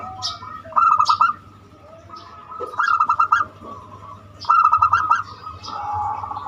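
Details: Zebra dove with a unique voice, its song used as a lure to prompt other birds to sing: three bursts of rapid trilled cooing, each about half a second, separated by softer low coos and pauses.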